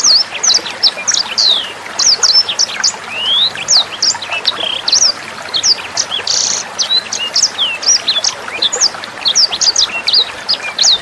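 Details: Sanger bird singing as training material for cage birds: quick, piercing high notes, some rising slurs and brief buzzy bursts, delivered in continuous volleys above a constant murmur of trickling water.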